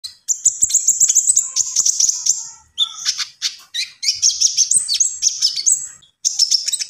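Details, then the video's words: Common iora singing gacor, vigorous nonstop song: a long high thin trill, then rapid chattering, squeaky notes and bright whistled phrases in quick succession, with brief pauses and faint clicks in the background. "SUARA BURUNG KONIN GACOR"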